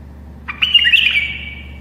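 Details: A tame bulbul sings to help other bulbuls learn: one loud, harsh, squawky phrase with a rough buzzy tail lasting about a second, over a quiet low hum.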